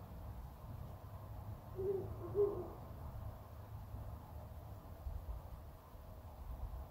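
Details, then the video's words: An owl calling in woods near a house, recorded by phone: two short, low barking notes about half a second apart, over a steady low rumble of background noise. "フクロウの鳴き声 / Owl barks"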